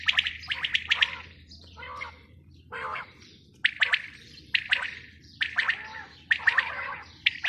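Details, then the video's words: A female quail gives harsh, raspy chirps in short uneven bursts, about one a second, with a faint low hum behind. "Batair ki awaz | Bater awaz | Quail sound | batai madi ki awaz"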